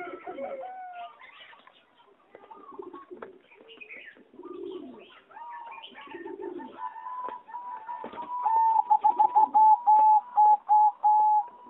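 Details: Zebra dove of a singing line bred for competition, kept in an aviary, recorded 26 April 2014: a loud, rapid run of clipped cooing notes on one steady pitch near the end, over softer chirps and warbles from other aviary birds.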